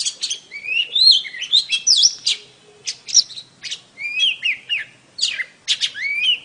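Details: A female oriental magpie-robin calls to draw a male: separate bursts of bright whistled slurs and rising and falling sweeps, broken by short gaps, with some harsh clicky notes between phrases.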